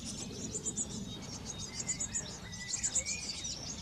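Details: A Eurasian blue tit at a garden nest box during brood care gives very high, thin chirps in quick clusters, with a few faint drawn-out whistled notes over a low background rumble.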